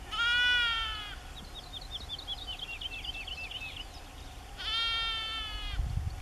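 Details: Woodlark song recorded 31 March 2016 at Aekingerzand (Kale Duinen) in the Drents-Friese Wold: quick run of liquid, looping notes between two loud, drawn-out bleats at start and end.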